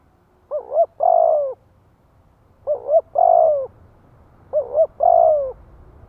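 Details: Spotted dove singing as a lure for wild doves: three matching phrases, each a quick two-part coo then a long rough, rolling coo, given roughly every two seconds with faint low background hum.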